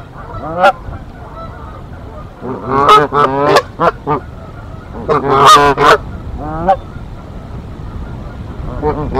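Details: Mother and father Canada goose fight off an intruding female at their Decorah nest on 1 April 2024: bursts of loud, strident honks in rapid clusters, with quieter gaps between flurries.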